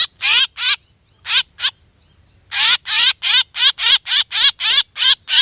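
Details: Black drongo calls played as a hunting lure: loud, harsh, buzzy notes with a wavering tone, given in quick bursts about three a second, with a short silent gap before a long steady run of the same rasping notes.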